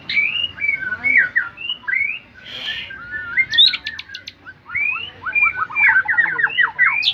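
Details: White-rumped shama song: a varied run of rich, clear whistled phrases, some rising and some falling, with short sharp notes and quick twittering bursts, over low background noise.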